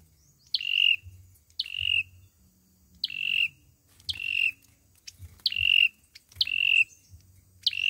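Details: Olive-backed sunbird singing its fighting song for trapping: a quick descending flick then a short steady whistle, repeated about once a second, seven phrases in all, with a low background hum.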